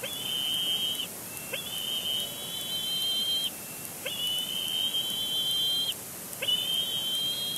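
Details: Young bald eagle on the nest at Big Bear Lake, April 27, 2022, continuing to complain at its father; four long level high whistles, each about two seconds, sliding up at the start, with gaps between.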